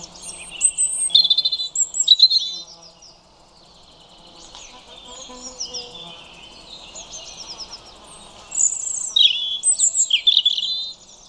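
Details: European robin song in two clear bouts, opening and closing, each a jumble of high sweet notes, quick trills and sliding whistles, separated by quieter warbling and a low background rumble.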